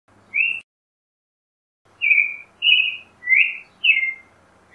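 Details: Creamy-bellied thrush delivers spaced, slurred whistled notes about one per second, some rising and some falling, after a lone opening note, with a low electrical hum behind them.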